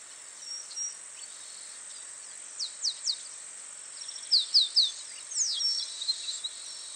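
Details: Family of masked water tyrants at Itatiba, São Paulo, Brazil, 24 December 2016 at 09:55: sharp, high, downslurred notes in quick bursts of three, then a looser run of chips, over a steady high insect hiss.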